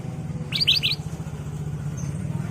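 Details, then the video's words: Ruby-throated bulbul (kutilang emas) in lively 'gacor' form, a lure song for training caged birds: three quick, bright, slurred chirps in rapid succession, then silence, over a steady low rumble of traffic or machinery. "Kicau Burung Kutilang Emas Gacor/ Pancingan Kutilang Emas"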